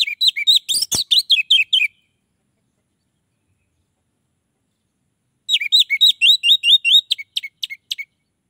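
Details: Orange-headed thrush song used to lure others of the species: two bursts of rapid, scratchy, downslurred notes separated by a few seconds of quiet, with one sharp click.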